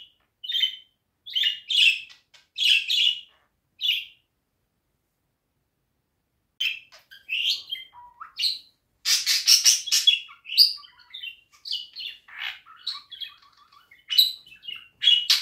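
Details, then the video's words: Budgerigar song in a room: clusters of short chirps, a pause of about two seconds, then a denser, faster chattering warble with clicks and buzzy bursts. "Kuşların tam istediği ötüş."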